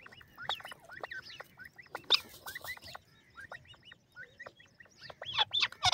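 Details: Teetar, the grey francolin, giving a long run of sharp, upward-sliding whistled notes in rapid rhythmic bursts, with a few louder harsh notes near the end.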